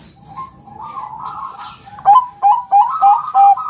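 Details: Champion Bangkok-type zebra dove in a training recording meant to make other birds answer: faint warbling rolls at first, then from two seconds loud short tonal coos repeated about three times a second, clipped and slightly rising.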